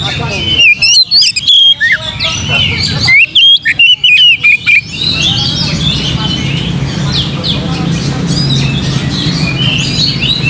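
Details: Oriental magpie-robin singing, played to provoke other birds to sing. Bursts of sharp whistled notes and rapid slurred chirps come in two loud runs, followed by a busy wash of overlapping chirps and a low rumble.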